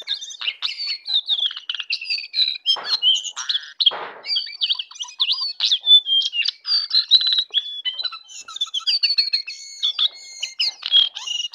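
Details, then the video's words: A jongkangan in morning song pours out a rapid, varied stream of high whistles, chips and trills, with a few harsher notes mixed in, continuing almost without a break. "jongkangan ocehan di pagi hari"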